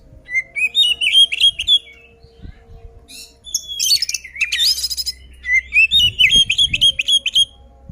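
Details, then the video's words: Oriental magpie-robin in loud fighting song, used to provoke rival magpie-robins into agitation; high whistled phrases with quick rising and falling notes, rapid repeated strokes, harsh buzzy bursts in the middle, faint low hum beneath. "suara burung kacer gacor ngeplong tarung ini ampuh buat pancingan kacer agar emosi"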